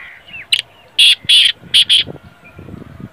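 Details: Black francolin (kala teetar) calling: a brief scratchy lead note, then four loud, harsh, grating notes in quick succession lasting about a second, over faint rustling background noise.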